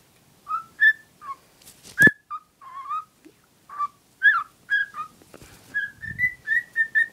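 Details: Pet female cockatiel, smitten with a cuddly toy, gives a run of short warbled whistles, rising and falling, with one sharp click and a brief soft rustle in the background.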